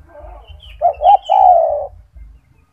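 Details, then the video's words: Single cooing phrase from a loud gacor spotted dove (tekukur) kept as a master singer: two short throaty notes running into a long, smooth, downward-sliding coo. "The sound of a gacor turtle dove | Suara burung tekukur gacor"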